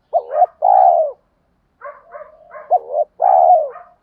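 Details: Provocation coos of a spotted dove, used to get wild doves to coo in reply: paired low hollow phrases, short note then long steady coo, with a softer muttered passage in between.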